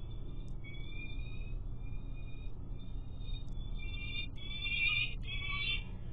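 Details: Adult female peregrine falcon at her nest in the morning, chatting with her mate as he flies by: drawn-out, harsh whining notes, held for several seconds with brief breaks, over a steady low rumble.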